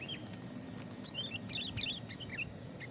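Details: Sooty-headed bulbul (kutilang) in lively, dense lure song meant to provoke rival bulbuls: scattered short whistled and chirping notes, some rising or slurred, in quick uneven bursts over a low steady hum.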